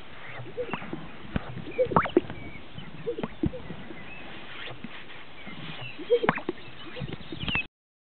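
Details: Greater sage-grouse displaying at a lek in northern Utah: hollow, liquid plops with brushing swishes and clicks, scattered irregularly across several seconds, likely from more than one bird.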